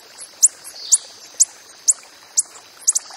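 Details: A coppery-headed emerald calling in the wild: crisp, very high single chips roughly every half second, ending with a quick double note, against a soft constant hum.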